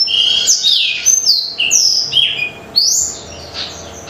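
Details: Black-throated canary singing energetically, offered as a lure to get other birds singing quickly: high, bright whistled phrases with sharp downward and upward sweeps, several separate bursts with short pauses between.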